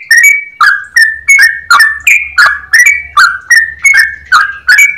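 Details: Ringing, clear-voiced song of a yellow-vented bulbul: quick paired slurred notes repeated energetically, about fourteen in five seconds, over a faint low hum.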